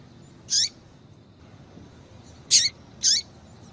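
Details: Female rusty-collared seedeater calls meant to get a male singing: three high, slightly downslurred chips, one early and two close together late, with soft hiss between.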